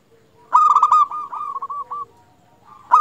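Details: Local zebra dove song for luring other zebra doves to sing: a loud rapid burst of clipped notes running into a long purring, descending trill of coos, then another loud onset at the end.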